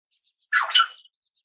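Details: Single short, hoarse, two-part squawk of a red-billed chough, about half a second long, in an otherwise quiet background.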